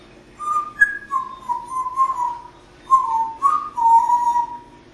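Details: A pet parrot sitting at a window in Las Vegas, Nevada, whistles a string of clear, fairly steady tones, some sliding slightly down, in short phrases with brief pauses between them.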